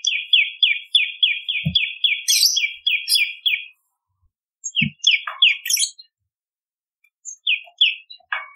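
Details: Prenjak lumut, the bar-winged prinia, singing as a lure and tutor recording: a rapid run of about a dozen falling chips, a pause, broken chip phrases with squeaky notes, and a few final spaced chips.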